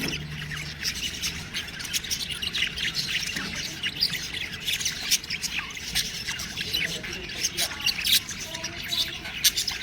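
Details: Baby budgies keep up a busy, crackling chorus of squeaks and short squawks, steady and overlapping throughout, with a low hum at the start.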